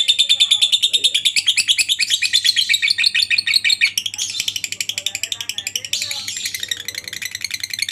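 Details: Lovebird in long ngekek chatter, a master recording for training other lovebirds to sing: rapid, high, shrill, rattling notes repeated about three times a second for the whole stretch, with a faint low hum underneath.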